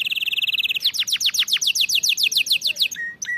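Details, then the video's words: Canary training song: a fast, even trill about fifteen notes per second gives way to a run of steep downward-sweeping whistled notes, about eight per second, then two short flat whistles. "أفضل أغنية لتدريب طائر الكناري على الغناء الصحيح"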